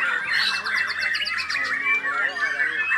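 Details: White-rumped shama, called murai batu, a hobby songbird, in a fast sequence of clicking rattles and scratchy notes, then clear whistled slides and a rolling warble toward the end.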